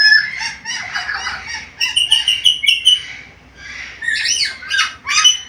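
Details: Black-capped lory, a lively talker with varied sounds. Dense, buzzy chatter flows into a run of rapid, stuttering notes, pauses briefly, then finishes with scratchy, squeaky calls.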